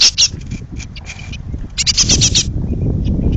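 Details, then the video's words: Great tit young on the verge of fledging, hungry, in a pollard willow: short bursts of scratchy high begging notes, then a louder run, with rumbling low noise rising towards the end. "jonge koolmezen"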